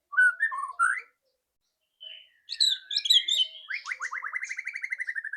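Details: White-rumped shama with a loud ketrekan song used to make a shama sing quickly: a few warbled notes, a pause, a jumble of high chirps, then a long, even, rattling trill.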